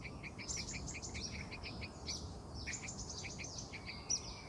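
Yellow-vented bulbul giving quick, bubbly chirps in rapid runs, with a lively chattering quality, over a steady low background hum.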